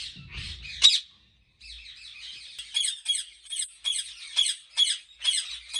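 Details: Captive ringneck parrots calling at a breeding farm in Pakistan: a loud shriek early, a brief silence, then sharp, regularly spaced squawks roughly every half second over a steady background of chatter.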